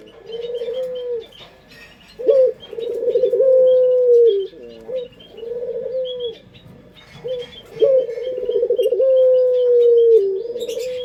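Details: Puter pelung dove, a local collared dove prized for its sweet voice and used as a lure, repeats its low cooing phrase about three times, each a sharp start, a trembling roll and a long sustained note, over soft high twittering.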